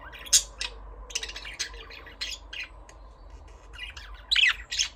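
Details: Budgerigars giving high chirps and harsher squawks, irregular and overlapping, a few louder sharp notes standing out near the start and end, over a faint low hum.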